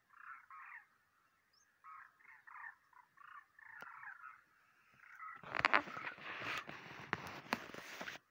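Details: Migrating demoiselle cranes, March 2023: a series of rolling, guttural, trumpeting calls repeated about every half second for five seconds, then drowned out by loud, rumbling broadband noise with sharp thumps.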